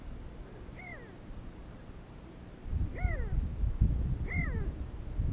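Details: Sandgrouse arriving in flocks to drink in the desert, filmed with a Sony HDR-CX405: three fairly faint, arched, downward-falling harmonic calls spaced over a second apart, with low rumbling background noise rising partway through.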